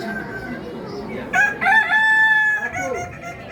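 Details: Kukuak Balenggek chicken, an endemic breed from Solok, West Sumatra, Indonesia, at a crowing contest: one loud harmonic crow bursts in, then holds a steady, level line for about a second. Crowd chatter and other fowl sound faintly behind.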